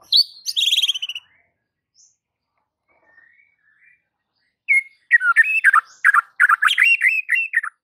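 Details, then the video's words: White-rumped shama singing to provoke rival shamas: a short buzzy trilled burst, a long quiet gap, then a busy jumble of high whistled and chattering notes. "Murai batu ini SONTAK bikin murai lain TETAP GACOR dan NGEPLONG hanya dengan Sekali Pancingan Saja"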